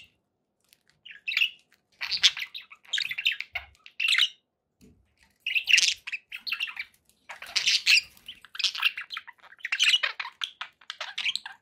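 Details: Caged budgies chirp in rapid clusters of sharp, scratchy notes. The bursts come roughly every second, with quiet gaps between.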